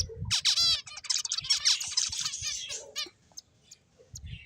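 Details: Several finches chirping in a dense run of high, rapid trills and downslurred tweets over about three seconds, with a few soft low thuds, then near quiet with one short faint call.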